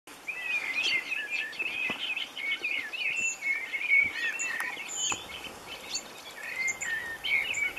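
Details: A European robin being freed from a mist net at a bird-ringing station on Lake Ladoga, Russia, gives continuous twittering and warbling, thin high notes tumbling over one another with a few sharper squeaks, against a faint outdoor hiss.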